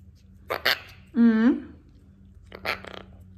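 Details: A pet male Quaker (Monk) parakeet, desperate for his owner's lunch of bell pepper, gives harsh raspy squawks, then a long drawn-out nasal rising word-like sound; owner wonders if he says "stop it"; faint human talk.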